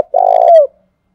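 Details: Spotted dove used as a decoy bird, its coo meant to draw other doves into calling: one low, steady, slightly vibrating coo lasting about half a second, ending with a brief falling slur, in a quiet setting.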